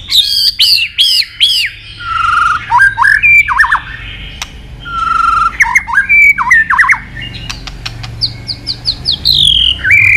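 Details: White-rumped shama, a training song of long varied phrases mimicking forest voices: loud whistled notes, repeated falling slurs, sharp clicks and rising sweeps, with brief pauses between bursts.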